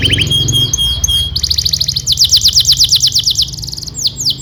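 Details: Domestic canary in full song, played as a tutor recording so young canaries learn to sing; a brief whistle, then fast rhythmic trills of down-slurred notes in changing tempos, ending with a few slower sweeping notes over a faint low hum.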